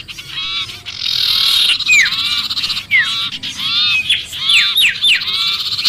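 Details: {'caption': 'Sirpu giving agitated distress calls, noisy as if trapped, a lure recording for attracting other birds; dense overlapping harsh chatter with repeated downward-sweeping harmonic notes, nearly continuous.'}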